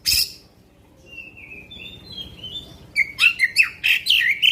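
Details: Black-winged magpie-robin delivering long bursts to stir other magpie-robins: a sharp opening note, soft drawn-out sliding whistles, then a lively run of loud rising and falling whistled notes.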